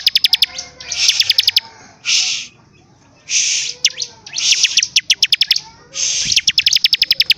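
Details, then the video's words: Actively singing bar-winged prinia giving runs of rapid, sharp high ticks broken by short harsh buzzing bursts, the two elements trading back and forth several times. "CIBLEK GACOR DORRRR!!!"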